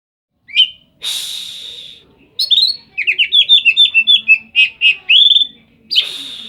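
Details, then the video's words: Oriental magpie-robin song packed with isian, learned imitations resembling the cetdet bird: a long buzzy note near 1 s, then a fast run of about a dozen sharp, clipped whistles, ending on another buzzy burst. "Ful isian rasa burung cetdet"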